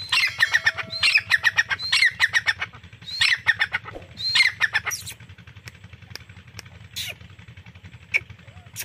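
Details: Grey francolin, locally called Irani teetar, calling: loud, harsh, rapidly repeated clicking phrases rising into sharp high notes, in bursts about once a second for five seconds, then fading to scattered clicks and faint sounds.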